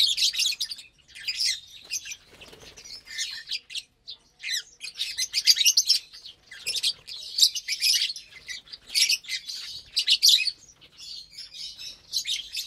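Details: Lovebirds feed together on vegetables and millet-based grain mix on a Saturday morning, keeping up nearly constant, shrill chatter of rapid high chirps in uneven waves, with one brief soft knock.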